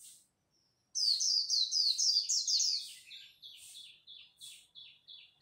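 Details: Japanese white-eye singing competitively at dawn: after a brief pause, a loud fast string of high falling whistles, then a steadier series of softer repeated notes, roughly two per second.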